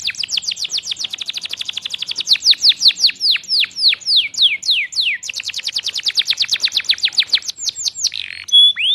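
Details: Canary song from a recording meant for teaching caged canaries to sing: long runs of quick downward-sweeping notes, slowing into louder spaced slurs, then speeding into a fast trill and ending with a brief whistle.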